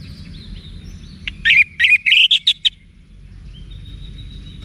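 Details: Orange-headed thrush, Bali, song played to train caged birds: one quick burst of rapid chirped notes in the middle second, loud and high, then low rumbling background.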